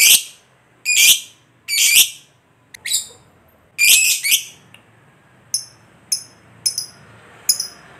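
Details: Lovebird used to provoke other lovebirds into calling: loud, shrill squawking chirps at irregular intervals, then a run of shorter, thinner high chips.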